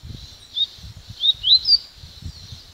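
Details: Yellow-bellied seedeater singing: a short run of thin, high whistled notes, several sliding upward or downward, bunched in the middle of the phrase, over soft low thumping noises.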